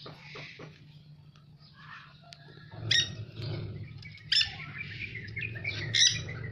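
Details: Dusky-headed conure (Aratinga weddellii), noted as very rare in Indonesia: after faint scratchy notes, three sharp, grating squawks arrive about every one and a half seconds, with a constant low hum underneath.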